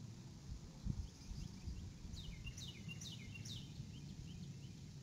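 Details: Adult female eagle calling as she arrives at her nest in early evening on 6 April 2018, before leaving again. Four high, thin, descending chirped notes about 0.4 seconds apart come after two seconds of quiet, over steady low wind rumble.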